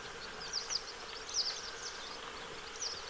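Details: Western yellow wagtail family bathing at the lakeshore of Hornborgasjön, Sweden, 15 August 2023; brief high sharp downslurred calls, some doubled, spaced about a second apart, over constant low hum and faint hiss.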